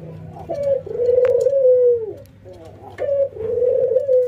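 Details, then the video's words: Ringneck dove cooing during routine training, an albino white bird facing a local one, nodding and laughing: two low laughing phrases, a stuttered onset running into a long level note that sinks at the end. "puter putih albino versus puter lokal ngangguk dan tertawa"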